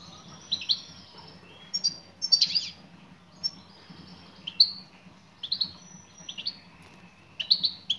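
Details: Female European goldfinch calling to a male, producing irregular volleys of high tweets and buzzy sweeping notes, spaced roughly every second, ending with a clustered run of chirps.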